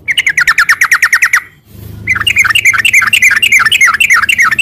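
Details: Sooty-headed bulbul in long 'ropel' song, used to provoke caged birds: a fast buzzy rattle of repeated notes, a brief gap, then a denser chattering stretch of rolling notes over a low background rumble.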